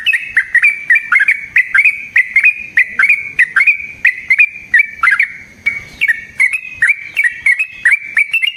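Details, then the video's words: Yellow-vented bulbul (trucukan) in long rapid 'ropel' song, used as a lure to make other trucukan answer and as a training master; dense run of short bubbly chattering notes, about two to three per second, loud and clear throughout. "Burung TRUCUKAN GACOR Ropel Panjang Cocok untuk PANCINGAN Trucuk bahan dan MASTERAN Burung Trucukan"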